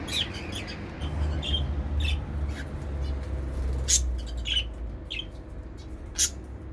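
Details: Zebra finch pairs in a mixed outdoor balcony aviary in a Dubai flat give short, nasal, toy-trumpet-like beeps at irregular intervals, about ten in seven seconds, over a steady low background rumble.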